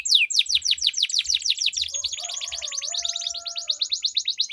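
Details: Canary in a singing duel, a long rolling song used as a lure to get silent canaries singing: rapid, fast-repeated downward-sweeping notes forming a continuous high trill, with a softer lower warble partway through.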